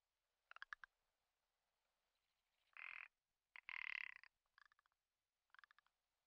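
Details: Commander Islands rock ptarmigan (Lagopus mutus ridgwayi) in spring breeding display (lek season), Komandorsky Reserve, gives dry clicking rattles, two harsh drawn-out belching croaks, then more quick ticking rattles.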